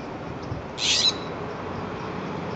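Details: Jay holding a peanut, screeching over its prize on 20 January 2014 at Devon and Pleasant Hill Road: a single harsh, hissing screech lasting about a third of a second, over steady low background noise.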